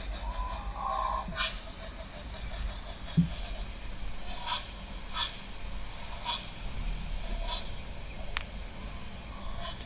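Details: A Cape Crow calling at an African waterhole in the morning on 1 August 2025 gives short, harsh, rasping caws, repeated roughly every second, over a steady low outdoor rumble.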